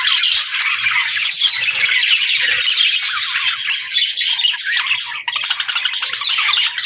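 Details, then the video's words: Budgerigars chattering and singing together, a dense, continuous warble of buzzy chirps, squeaks and short whistled notes packed tightly without pause, with a few louder squawks standing out. "Budgie Talking | Parakeet Singing"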